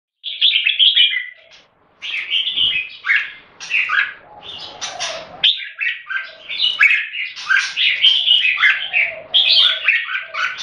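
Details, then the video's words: Caged red-whiskered bulbuls kept in Singapore in a head-to-head singing competition: dense, overlapping bright warbled phrases of chirps and slurred whistles, with a short pause near the start, then continuous rapid chattering song to the end. "สิงคโปร์เลี้ยง นกหัวจุก JAMBUL - CLASH OF THE TITANS"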